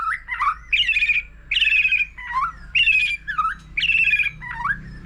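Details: Varied song of a white-rumped shama, the kind used in singing contests: alternating rich buzzy phrases and lower slurred dips, about five phrase pairs in five seconds, low hum underneath.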